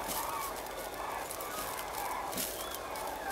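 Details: Flock of common cranes recorded at Linum, 10 October 2014, giving repeated hoarse trumpeting calls that overlap in a continuous chorus, set against loud broadband rushing noise and occasional higher squeaks.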